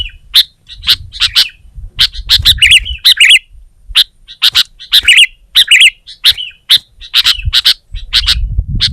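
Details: Sooty-headed bulbul singing energetically to press a rival; sharp, bright chirping notes in quick clusters and short rattling bursts, repeated with brief pauses throughout, over a faint low rumble.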